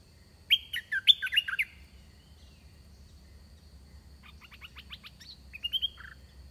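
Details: Red-whiskered bulbul kept as a decoy to draw in wild birds: one rich, warbling burst of song, then after a pause a quick series of softer chattering notes and a final whistle.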